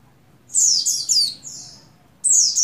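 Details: Female buxtoni Oriental white-eye in breeding condition calling the male: a chain of high falling chirps blending into a drawn-out thin note, then a fresh loud downslurred chirp after a brief pause.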